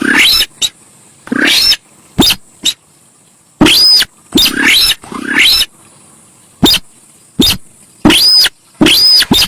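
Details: Javan pied starling singing loudly: harsh, buzzy notes that sweep upward, broken by sharp clicks and short chips in irregular bursts, with a steady high hiss in the background.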